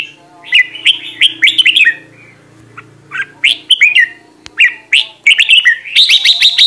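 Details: Red-whiskered bulbul kept as a caged decoy for training other birds' voices, in a fired-up state, delivering quick bursts of liquid, slurred whistles that swoop up and down, with a soft low hum early on and a faster twittering run at the end.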